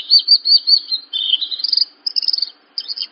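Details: Short burst of Horsfield's bush lark song, recorded to train young larks: high buzzy warbles and a fast stuttering trill, broken by brief gaps.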